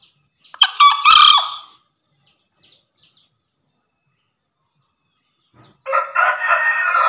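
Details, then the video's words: Green junglefowl from Java crowing: two short, hoarse, high crows about five seconds apart, each a harsh, buzzy burst, with a faint thin whine between them. "Suara Gacor Masteran Harian Ayam Hutan Hijau"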